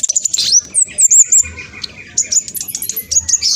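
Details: Speckled black sunbird singing fast as a lure for other birds: sharp high chips, wavering looping whistles and a brief rattling trill, with a short, softer high twitter following.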